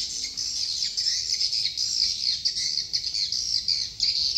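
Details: Dense, shrill swiftlet chatter recorded in Dương Tơ commune, Phú Quốc, an unbroken wash of high buzzy chirps.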